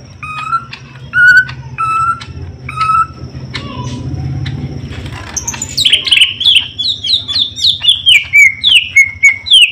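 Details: A kept Greater green leafbird in a pairing attempt, still far from ready to mate, gives a fast run of rich, slurred whistles and chirps rising and falling in quick repeated phrases, with low background hum.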